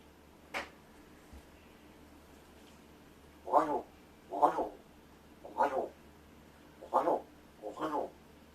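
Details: Rescued captive large-billed crow indoors, practicing vocalizations and speech mimicry while its keeper pretends to sleep; one short note, then five harmonic, nasal caws in loose pairs about once a second, with quiet room tone between.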